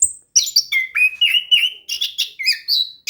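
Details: Orange-headed thrush in full lively song, meant to coax a silent bird into singing: a rapid run of whistled and slurred notes mixing high sharp tones with lower fluting phrases, barely pausing between them.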